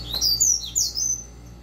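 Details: Short burst of the fast tui tui zeu song of a captive double-collared seedeater: loud, very high, sweeping whistled slurs in quick succession, with a steady low hum behind.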